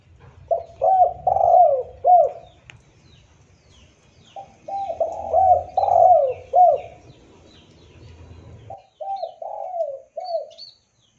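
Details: Spotted dove cooing, in a clean recording meant for luring rival birds closer. Low, mellow, rolling coos come in phrases of three to four notes, repeated after pauses, with faint low rumble in the background.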